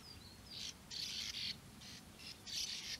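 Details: European bee-eater calls recorded at Puszta Eldorado among their nesting burrows on flat land: loud, trilled, burry notes in longer drawn bursts, opened by a faint thin whistle.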